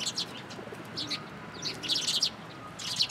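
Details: Sparrows gathered in a shrine's cherry tree on 22 March 2023 chatter busily, with dense runs of high, clipped chirps packed close together.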